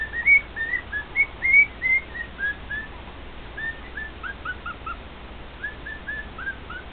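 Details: Captive male cockatiel serenading two companion cockatiels with bright whistled phrases, a loud opening cluster of rising and falling notes, then softer, scattered chirpy whistles after a short lull.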